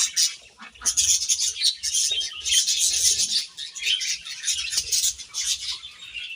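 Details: Several budgies feeding on grass produce a steady wash of high, grating chirps and twitters, with brief soft rustling underneath.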